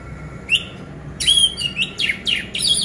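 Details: Orange-headed thrush, a kept bird, played as a lure to get silent birds singing: loud sweeping whistled phrases, rising and falling, in quick bursts after a short pause, over a faint steady hum.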